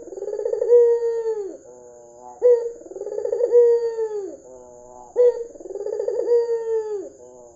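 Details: White dove with red eyes calling as a lure for other doves. Deep purring coos come in a steady cycle every few seconds: a brief clipped note then a drawn-out vibrating coo.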